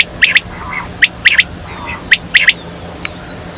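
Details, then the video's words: Quail calling as a hunters' lure: crisp, high clicking notes in tight pairs and triplets, repeated roughly every second, with a faint, soft nasal note between groups. "Batair ki awaz"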